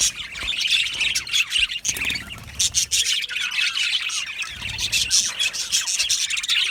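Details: Budgerigar colony in an aviary, Australian parakeets chattering nonstop: high twitters, sharp chirps and grating squawks layered from several birds, with short louder bursts scattered throughout.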